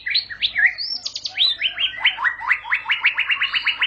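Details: White-rumped shama singing a long rolling song (ngerol panjang): varied whistled phrases lead into a fast run of sharp, evenly repeated downslurred notes, about four per second, continuing to the end.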